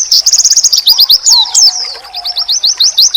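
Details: Oriental white-eye training song meant to provoke rival white-eyes into replying: rapid, loud, high twittering notes in quick runs with sharp sweeping slurs, over a softer lower whistled phrase in the background.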